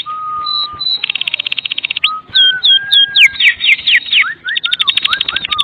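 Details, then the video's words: Kretekan song of a Medan white-rumped shama, used to coax other shamas into song: a flat whistle, then a rapid rattle, sweeping whistled slurs and chirps, ending with another rattle and falling whistled notes. "Kretekan MURAI BATU MEDAN GACOR FULL ISIAN"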